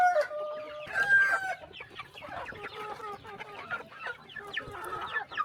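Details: Chickens at a quiet morning feeding on a small countryside farm, a loud drawn-out harmonic squawk followed by repeated short clucks, roughly one per second, from several birds.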